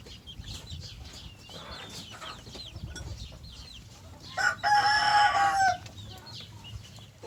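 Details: Rooster crowing in the morning: a loud, drawn-out cock-a-doodle-doo of about one and a half seconds, preceded by softer clucks and chirps from other fowl over a steady low background rumble.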